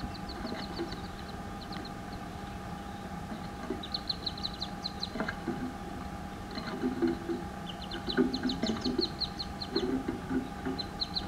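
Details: Eleven wood duck chicks, hatched 16 May 2015, peep high and thin in quick bursts as they jump from their nest box on 17 May, joined later by soft, low, repeated clucking from the hen leading them out, over a steady hum.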